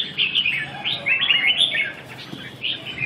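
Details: Red-whiskered bulbul during song training, recorded 2 June 2012, giving clear warbled whistles in short rising and falling phrases, with brief pauses between bursts and a faint low hum behind.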